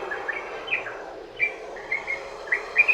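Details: Sooty-headed bulbul song for luring other bulbuls into singing: sparse, soft liquid notes at first, then brighter, louder chirps bunched together at the end.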